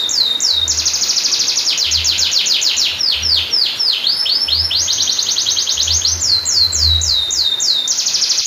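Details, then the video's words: Canary singing long rolls, used to trigger and train silent canaries: continuous stream of fast trills and curved falling whistles, switching pace several times without a break. "kenari singing masteran krnari rol panjanh pancingan kenari terapi kenari macet bunyi"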